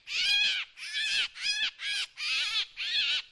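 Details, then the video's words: Drongo heard as a decoy sound, giving six rough, nasal, squawking notes in quick succession. The notes vary a little in length and loudness and are separated by brief pauses. "เสียงนกแชงแชว ສຽງນົກແຊວ ສຽງຕໍ່"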